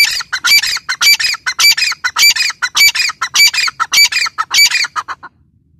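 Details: Female grey francolin (teetar) calling: loud, harsh squawking notes with a whistled edge, about a dozen in a rapid, fairly regular run, ending abruptly.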